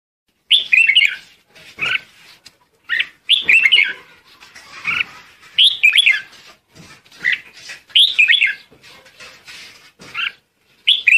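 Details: Red-whiskered bulbul calling the flock: bright chirpy phrases around mid-high pitch, short warbling bursts repeated every second or two with brief gaps between, fairly clean background.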